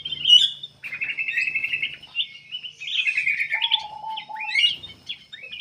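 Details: Black-capped bulbul in full, lively song, meant for luring other birds to sing. It delivers long runs of fast, rattling warbles, with a flat, lower whistle partway through and a few short chirps at the end.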